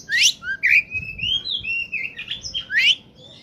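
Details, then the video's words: Oriental magpie-robin in full song, used to lure birds: a continuous run of loud whistled slurs, buzzy notes and rising sweeps with almost no pauses, over faint low background rumble. "suara burung Kacer saat sedang on fire!!!! pancingan burung bakalan/ pikatan"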